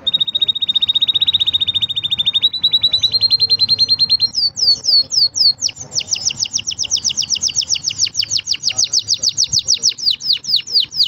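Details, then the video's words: Green canary singing a long steady trill that rises slightly in pitch, then breaks into a fast series of sharp downward-sweeping whistled notes. "Green canary bird singing"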